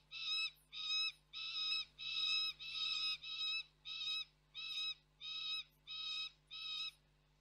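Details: Peregrine falcon youngster screaming beyond the camera's view at the Koksik site in Reda, 3 July 2024. A rhythmic series of roughly eleven grating, drawn screams, some closely bunched, then more evenly spaced.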